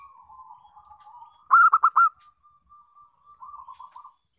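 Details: Zebra dove song from a local Indonesian bird, played to coax other doves into singing: low purring coos, then four loud clipped ringing notes in quick succession, then quieter rolling trills.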